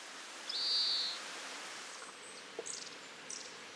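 Long-tailed tit: one thin, drawn-out high note, then a few faint, very high buzzy chips. Soft background hiss throughout.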